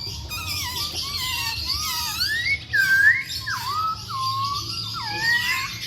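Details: Masked laughingthrush in strong song: smooth, sliding whistles that swoop down and up like a theremin, several long hooked notes in sequence, over a steady high background of chirping.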